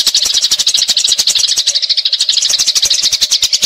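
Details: A fighting Eurasian tree sparrow's long rolling chatter, fast harsh high chirps at about three per second, mixed with sharp clicking knocks and a low hum.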